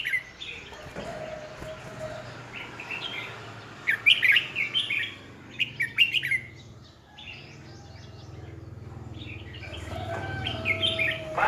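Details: Red-whiskered bulbul decoy song recorded in 2020 for training other bulbuls to sing; scattered quick warbled phrases over steady background noise, with a lull in the middle before more chirpy notes resume.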